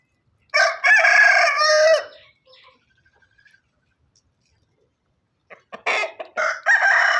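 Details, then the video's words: Farm rooster crowing: one loud, rich, harsh crow of about one and a half seconds, falling at the end, followed by quiet, then a broken burst of further crowing and calls near the close. "Rooster crowing"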